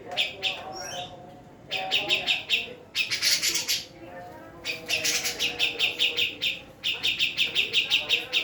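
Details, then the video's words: Female Javan cucak jenggot delivering bursts of quick, sharp, high chirps separated by short silences, some notes harsher and more rasping, in runs of several notes each, over faint low background sound. "Cucak Jenggot Jawa Betina"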